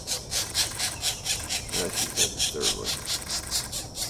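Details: Pileated woodpecker chicks being fed on 4/21/24, giving steady rasping, hissy begging pulses about twice a second throughout, with faint human talk beneath.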